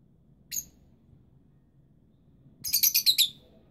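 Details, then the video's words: Young rosy-faced lovebirds and their parents at incubation: one shrill chirp, a pause of two seconds, then a fast stuttering burst of about seven high squeaky chirps. "Canto pappagalli inseparabili giovani e cova dei genitori"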